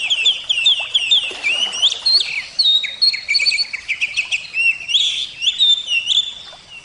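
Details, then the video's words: Kacer jawa, the Javan oriental magpie-robin, in continuous lively song: a rapid stream of clear whistles, up-and-down slurs and clipped chirps with almost no gaps. "terapi kacer suara air"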